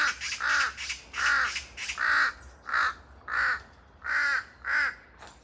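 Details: Large-billed crows, a pair, cry noisily in a forest with echoes. Rapid series of about ten hoarse caws, some run together in pairs, roughly two per second, with a rough, buzzy tone throughout.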